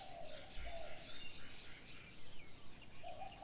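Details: Morning bird chorus: a quiet low coo at the start and again at the end, with a series of faint, evenly spaced high chirps between them.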